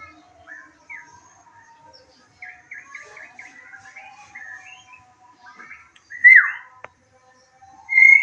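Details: White-rumped shama song used as a lure to stir a kept bird's temper and breeding urge so it answers. Soft scattered chirps and twitters are followed by two loud, sharp whistled notes near the end.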